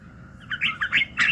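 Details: Brief burst of morning song from a red-whiskered bulbul, intended for voice training: three quick, bubbling warbled notes rising in brightness.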